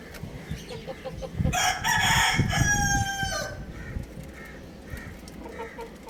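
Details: A young rooster playing on a roof gives a single long, strained crow of about two seconds, loud and richly harmonic with a falling end, framed by soft clucks and rustling.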